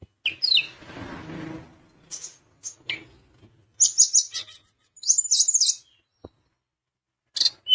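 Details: Sunda minivet in full song, meant to stir rivals into answering: bursts of piercing high whistles and quick descending slurs, separated by short silences, with a faint low murmur early on.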